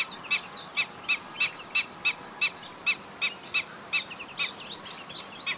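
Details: Alarmed black-winged stilt giving a fast series of sharp, piping chek-chek-chek notes, evenly spaced about three per second, roughly fourteen calls in a row over faint background hiss.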